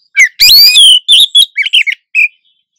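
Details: A wild female Oriental magpie-robin in breeding condition calls to draw a male, the two answering each other. Harsh, scratchy chatter mixed with bright whistled notes, then a quick run of short, high chirps.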